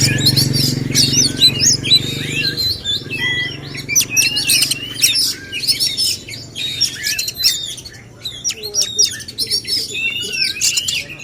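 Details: Male oriental magpie-robins in a singing contest meant to make them sing more and show off their repertoire; dense overlapping whistled phrases, rapid chirps and slurred notes crowd the high range, with a low rumble in the first seconds.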